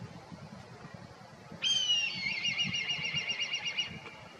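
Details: Black Kite calling: a single high whistled note that drops, then runs into a rapid wavering trill for about two seconds before fading. The background is quiet apart from low rumble.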